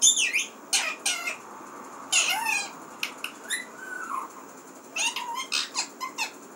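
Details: Pet parrot calling in bursts of harsh, meow-like squawks mixed with sliding whistles, sounding in short groups with brief gaps.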